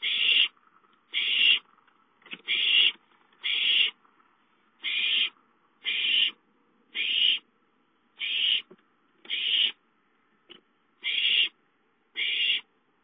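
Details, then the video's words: Owlets playing at home and calling for food, 5-9-13: a steady series of raspy hissing screams, roughly one per second, with a faint brief scratch between some calls. "Chicka calls for food"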